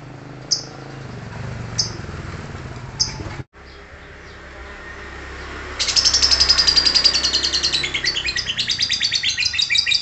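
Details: Lovebird giving three isolated sharp high chirps, then a quiet gap, then a sudden rapid, continuous high chattering trill (ngekek) that carries on to the end.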